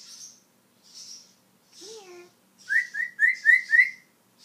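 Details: Talking African grey parrot kept as a pet, showing off its mimicked vocabulary indoors: a short voiced word-like sound, then five quick bright whistled chirps in a rapid, even series, with faint hissy rustling between.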